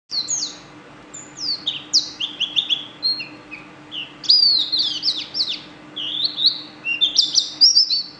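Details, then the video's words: Yellow bird singing a fast, varied run of high whistled and chirped notes, many sharply down-slurred, in bursts with short pauses, over a steady low hum. "Burung bersiul"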